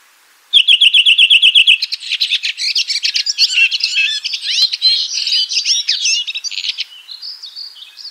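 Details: Red-throated thrush singing. It opens with a fast run of about a dozen identical high chirps, then breaks into a dense, scratchy medley of twittering and slurred whistles that fades into softer warbled phrases.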